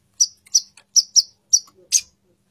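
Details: A female plain-throated sunbird calls the male with six crisp, very high chip notes, spaced about a third of a second apart, the last one harsher and broader, against an otherwise quiet background.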